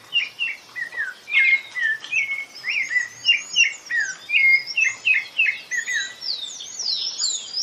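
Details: Singing rufous-bellied thrush: a steady run of short down-slurred whistled notes, roughly three per second, with higher twittering above and a few bright piercing accents, over faint background.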